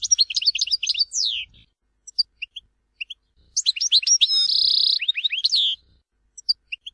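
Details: Algerian Tizi Ouzou song of a European goldfinch: a quick cascade of twittering notes, isolated chirps, then a rich phrase with a long buzzy trill and falling slurred notes.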